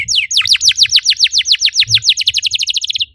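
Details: Canary song used as a lure to stimulate other canaries to sing: rapid series of downward-sweeping whistled notes, about three or four per second, repeated steadily and speeding slightly toward the end.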